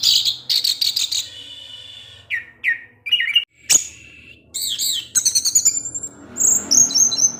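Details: Orange-headed thrush singing at dusk to provoke rival thrushes, with rapid stuttering bursts, a few slurred whistles, a sharp click, then fast high warbling trills.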